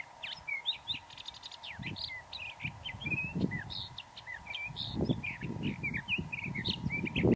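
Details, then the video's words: Sage Thrasher song: a long, unbroken jumble of quick warbled and whistled notes, high and varied, over steady low wind rumble and a faint hum. "The Sage Thrasher's song"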